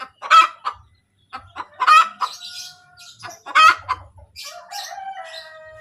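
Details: Egg-laying hen calling 'kotek kotek': three loud harsh squawks, each with short trailing clucks, plus drawn-out tonal notes between them and toward the end.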